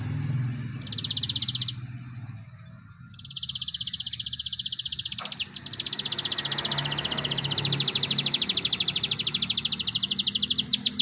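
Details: Canary singing loudly and persistently, recorded as a tutor song for training long-tailed shrikes. A long, high, rolling trill runs almost without a break, with a short pause near the start, over a steady low hum.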